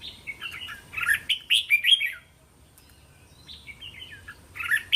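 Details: Red-whiskered bulbul 'sai to' training song, phrases doubled for young caged birds to copy: a busy run of slurred warbling whistles, a short lull, then softer and louder warbled notes returning.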